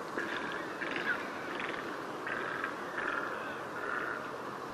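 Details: Great egret, a call mostly heard at breeding colonies, giving harsh, grating croaks in short bursts about once a second, over a steady rough background hiss.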